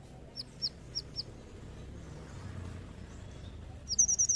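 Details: Brown-throated sunbird song serving as a lure for other birds: four short, high, falling chirps in quick succession, a pause filled with steady background hiss, then a fast burst of sharp high notes.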